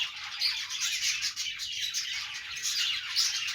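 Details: Pet budgies, Australian parrots, making happy sounds during their morning routine: continuous high, scratchy chirping and warbling chatter from several birds, with no pauses.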